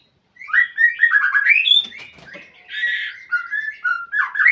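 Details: Kept white-rumped shama calling a rival: continuous flowing song of slurred whistles and warbles with a brief harsh burst in the middle, phrases changing quickly over a few seconds.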